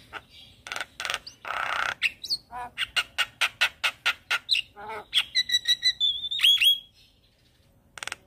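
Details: Black-winged starling singing while bobbing its head: a harsh hiss, then a long regular series of grating squawks, followed by ticking notes and a loud clear whistled phrase before a brief pause.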